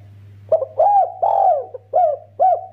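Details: Close, loud spotted dove in 'kuk 2' style used to get other spotted doves calling: a quick short note, then drawn-out, arching coos, the middle one longest, ending in two clipped coos; steady low hum behind.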